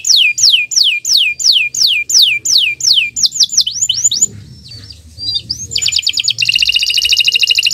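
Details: Kenari canary singing long gacor song in the morning as a tutor recording: clear downward-slurred whistles repeated about three per second, then varied twittering, a brief softer pause, and a closing buzzy rapid trill.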